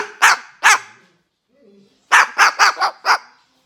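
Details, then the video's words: Lacy, an adopted female umbrella cockatoo about 9 years old, Limington, Maine, USA, March 4, 2019, barking like a dog as she does with the household dogs: two hoarse barks, a pause, then a quick run of five rough barks. "Barking Bird Makes Convincing Dog Noises"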